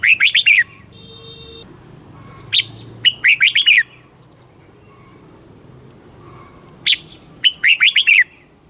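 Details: Red-whiskered bulbul song in a southern master style, played to excite birds and teach young birds: three loud bursts of quick whistled, warbling notes around two to four thousand cycles, each about a second long, with a brief tonal beep between.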